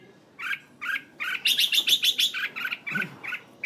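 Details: Decoy red-whiskered bulbul from Hanoi, Vietnam, caged, singing a steady run of short chirping notes roughly three per second, rising into a louder bright burst of rapid chirps mid-phrase, with faint low background noise.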